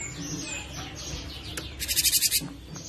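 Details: Cinereous tit singing, a recording meant for training songbirds: faint thin whistles at first, then one loud harsh buzzy burst of about eight rapid pulses lasting roughly half a second.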